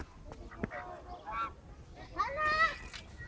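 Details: Resting ducks at Fuentes Brotantes park in Mexico City: two drawn-out, nasal, harmonic calls, the second louder and slightly rising, separated by a few sharp clicks and quiet rustling.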